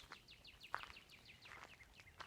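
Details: A distant Northern Cardinal sings 'sweet sweet' on a walk near a home in Dripping Springs: a quick run of high, down-slurred chirps, with faint outdoor noise and a few soft knocks.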